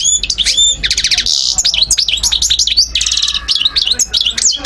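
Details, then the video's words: European goldfinch recorded in Algiers, Algeria, in 2012, singing a dense, rapid run of high twittering, tinkling notes with buzzy rattles and sweeping whistles, almost continuous for nearly five seconds. "Carduelis* chardonneret* jilguero* حسون"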